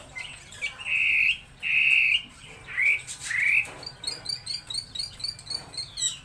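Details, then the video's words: Laughingthrush giving drawn-out level whistles and upward-swept notes, then a fast, regular series of short high chirps repeated several times per second toward the end. "Chim Mi hót đỉnh"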